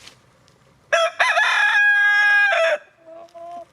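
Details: A rooster, kept with hens outdoors in the snow, gives one loud, harsh, drawn-out crow lasting nearly two seconds, followed by a quieter, lower hen-like call trailing off afterward.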